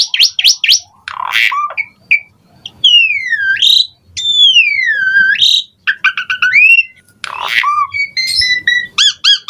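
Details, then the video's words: Asian pied starling in lively full song, used as a lure to stir lazy starlings into singing: varied whistles, long swooping slurred notes falling and rising, rapid clicking bursts and harsh chatter, loud and clear. "JALAK SUREN GACOR FULL ISIAN MOMPA AMPUH DIJADIKAN PANCINGAN JALAK SUREN MALAS BUNYI"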